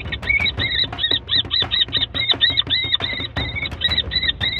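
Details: A kestrel with six chicks in its nest on a May night calls furiously while grappling with an intruding barn owl, a rapid, shrill, harsh series of chattering calls, three to four per second, strident and insistent throughout.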